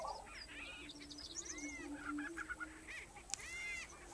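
Lesser prairie-chickens give overlapping gobbling, cackling calls and yelps from a displaying group, over a steady low hum.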